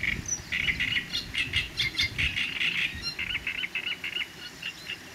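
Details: Great reed warbler singing: a run of harsh, grating, chattering syllables repeated rapidly, about two to three per second, in a continuous churring sequence over a faint low rumble.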